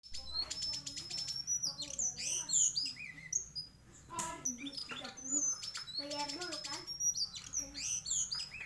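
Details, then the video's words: White-throated flycatcher giving a varied song: rapid, high whistles, chirps and rattling buzzy notes mixed with lower warbled phrases, loud and continuous, with a faint low hum beneath. "Sikatan kerongkongan putih bunyi variasi"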